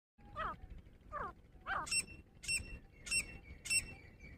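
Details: Grey francolin, locally dhakni teetar, a female during a fight: a series of short harsh calls, the first three lower and sliding, then four higher sharp notes with ringing overtones, roughly two each second.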